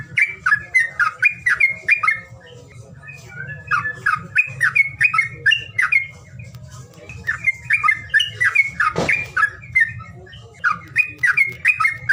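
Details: Bird calling sound to encourage birds that are lazy to sing: repeated bursts of fast, grating chirps in groups, one sharp broadband click midway, and a constant low hum beneath.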